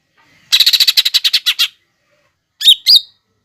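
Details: Lesser green leafbird training song packed with mimicked phrases of other birds such as tree sparrow, lovebird and hummingbird: a quick burst of about ten sharp chipping notes, then silence and two loud buzzy notes.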